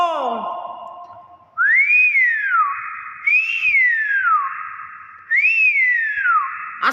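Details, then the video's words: Hill myna giving a loud whistle that rises and then falls, repeated three times about every two seconds over a sustained tone, after a wavering voice-like sound at the start. "BEO SUARA ASLI"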